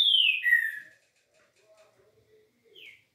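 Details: Green-winged saltator singing smooth 'liso' song: a loud two-part whistle falling in pitch, followed by faint soft notes and a brief, quieter descending whistle near the end.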